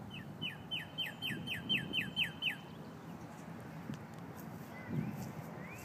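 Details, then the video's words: Cardinals calling to each other: a quick run of about nine clear whistled notes, each slurring downward, given about four per second, then a pause with faint distant chirps over a low rumble of background noise. "Cardinals calling each other"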